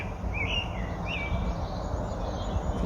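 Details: Common blackbird in full song during the dawn chorus on International Dawn Chorus Day, recorded after a 4am start, with robins nearby: two faint, mellow fluted phrases sliding down in pitch, about a second apart, over low rumble.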